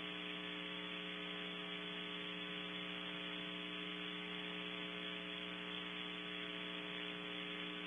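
Only a constant electrical mains hum with even buzzing overtones and faint static is heard throughout, no animal sound.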